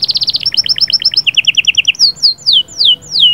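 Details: Canary song aimed at stimulating a female: a very rapid high trill slows into evenly spaced double notes, then ends in a series of clear, descending whistled slurs.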